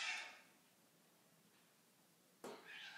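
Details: Beans, a nervous male yellow-bibbed lory on day 3 of training, being hand-offered fruit treats indoors, gives two harsh, raspy screeches, one at the start and one near the end, with a quiet pause between.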